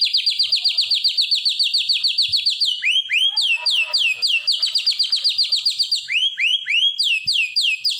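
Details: White-rumped shama singing a long canary-style roll ('nembak roll kenari'), played at home to train and steady other shamas: rapid, steady series of high downward-slurred whistled notes, about four per second, briefly dropping lower midway before resuming.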